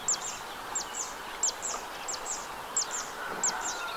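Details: Wetland by the Arzal dam in Morbihan, 2 June 2023: a zitting cisticola gives thin, very high 'zit' notes at an even pace, each followed by a faint echo, against a noisier backdrop of other bird chatter.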